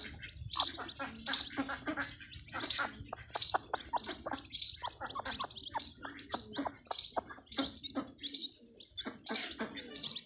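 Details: Desi hen with newly hatched chicks on a free-range farm: high, thin chick peeps repeat rapidly, about twice a second, over softer low clucking and scattered rustling.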